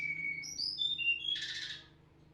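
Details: Snowy-browed flycatcher song meant to provoke other flycatchers: a run of thin high whistles stepping downward, ending in a short buzzy, rattling burst, then quiet with a faint low hum.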